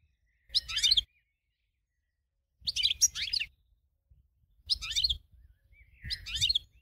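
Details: Prize-winning goldfinch singing for training other birds: four short bursts of dense, high twittering notes separated by pauses of one to two seconds, with a faint low rumble underneath each phrase.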